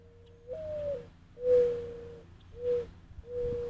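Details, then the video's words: A larger dove, squabbling with a smaller dove that challenged it, gives four low, steady hooting coos that sound more threatening than peaceful, each about half a second long, at a slow, uneven pace over a faint background hum. "Dueling Doves"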